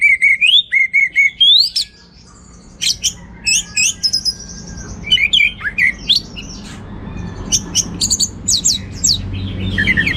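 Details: Orange-headed thrush in vigorous gacor teler singing with rich material: clear whistled phrases rising and falling, fast chirpy notes in rapid bursts, a brief pause near two seconds, then busy varied notes with a low background hum.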